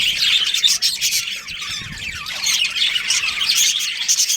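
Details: Budgerigars in a breeding colony with a breeding pair: dense, continuous high chirping and chattering warble, many overlapping quick notes with scratchy squawks mixed in, plus a few soft low thumps.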